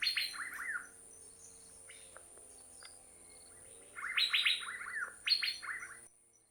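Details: Asian fairy-bluebird recorded in Thailand: two bursts of quick downslurred liquid whistles, the first at the start, then a quiet gap, then a louder double phrase of bright sliding notes near the end.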